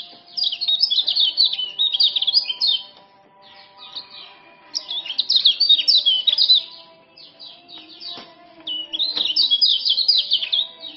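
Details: Male common iora from Lombok, used to tutor caged birds and coax silent ones into singing: three rapid bursts of high, jumbled chirping trills, each about two seconds long, with brief pauses between them.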